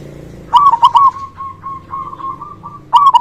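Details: Local zebra dove singing steadily with a big voice, used to stimulate lazy or silent doves: a loud stuttering coo burst, a string of quieter even coos, then a final loud rolling phrase.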